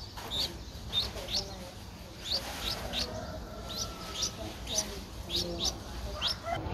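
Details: Eleven-day-old Streak-eared bulbul nestling recorded 13 April 2023 in Ubon Ratchathani, Thailand, giving short high-pitched squeaks repeated irregularly, about two per second, over low background rumble and faint voices.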